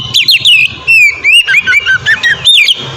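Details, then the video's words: Oriental magpie-robin in ngeplong song, played as a training lure: loud clipped whistled notes, rising and falling slurs in quick succession over a faint low hum. "suara burung kacer ngeplong merdu sangat ampuh buat pancingan kacer bahan bikin cepat gacor"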